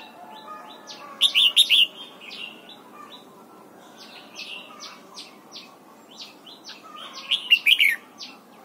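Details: Red-whiskered bulbul in a morning singing session, pushed toward the double-note wild-style song. Two loud phrases of about four warbled notes are heard, with many soft chirps and short notes from other birds throughout.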